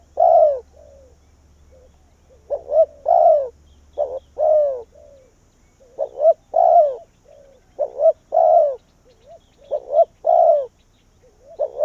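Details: Spotted dove used as a decoy bird calling wild doves in, uttering clear cooing phrases of brief clipped notes and a longer downward-sliding coo, repeated steadily with low hum early on.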